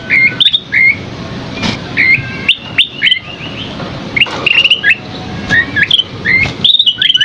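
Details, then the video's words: Scaly-crowned babbler singing loud, varied clear whistles, short rising and falling notes and quick slurred phrases with brief pauses, over a faint low hum. "Masteran Burung Asi Topi Sisik GACOR isian MEWAH"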